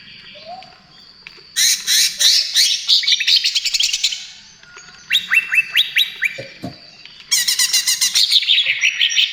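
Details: Greater green leafbird in energetic trotol-style song, meant to lure and soothe other birds: three bursts of rapid, high, metallic chattering and descending whistled notes separated by short quieter gaps, over a faint low hum.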